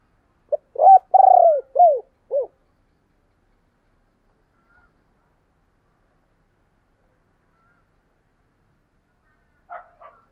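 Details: A single spotted dove phrase of the thúc and gáy gọi styles: a short note, a long vibrating coo and two falling hoots, all low and mellow. Near-silence follows for seven seconds, then a faint brief sound.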